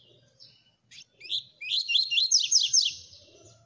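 A Double-collared Seedeater gives a few scattered chips, then a rapid run of high, slurred and buzzy notes lasting about two seconds over a faint low hum.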